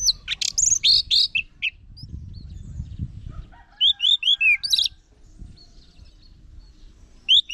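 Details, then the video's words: Song of an orange-headed thrush: an opening flurry of high, rough notes, a pause, then a run of clear downslurred whistles, ending with faint notes and one last high call. "Guru Vokal ANIS MERAH Agar Selalu Ikut Nyaut Ngeplong di Rumah"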